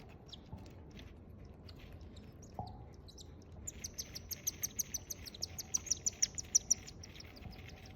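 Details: Nine-day-old cockatiel hatchlings give rapid, high, raspy chirps that quicken and grow louder.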